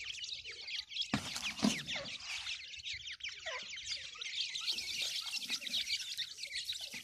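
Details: Many grey francolin chicks calling at feeding time: high, thin chirps running together into a steady chorus, with a couple of sharp knocks early on.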